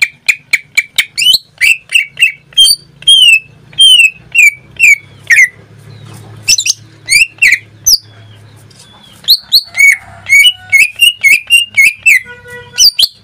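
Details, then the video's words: Greater green leafbird in steady, frequent song: long sequences of rapid, ringing whistled notes and sharp chips, mostly at similar pitch, interrupted by one brief lull before another fast, varied outburst. "Suara cucak ijo suaranya tidak diragukan lagi"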